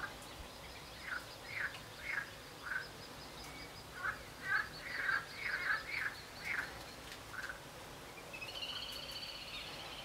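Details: Northern shoveler recorded on 12 July 2014 at the Cambounet-sur-le-Sor regional nature reserve (81): a run of short, nasal, clipped calls, about a dozen over eight seconds at an uneven pace, then a thin higher tonal sound, over a steady low background hiss.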